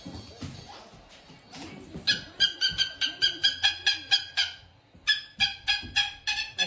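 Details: Pet cockatoo yelling indoors at night: loud, nasal, harmonic screeches repeated rapidly about three per second in two runs separated by a brief pause, with soft human voices before.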